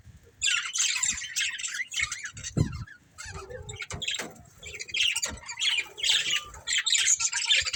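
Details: A breeding pair of budgies keeps up dense, scratchy warbled chatter in rapid bursts, broken by brief gaps and a couple of soft low knocks, the chirping busy and high throughout.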